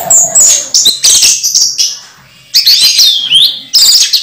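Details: Orange-headed thrush kept as a cage bird, moulting yet still in full voice: very high, thin twittering and squeaky notes in rapid bursts, separated by a brief quiet gap.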